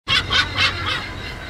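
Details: Kelp gulls calling: four harsh, nasal notes in quick succession, about a quarter second apart, the last ones trailing off into a lingering echoing tail.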